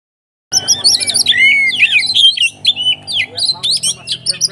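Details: White-rumped shama singing a fighting song meant to provoke other shamas: a dense run of loud whistled slurs, chattering notes and rapid trills, mostly high-pitched, continuing without pause.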